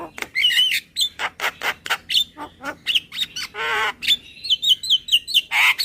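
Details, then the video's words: Javan myna calls used as a lure, a dense string of scratchy chatter notes mixed with brief whistles, a nasal drawn-out squawk midway, then quick descending whistled slurs toward the end. "SUARA PIKAT JALAK KEBO SUPER KENYIH"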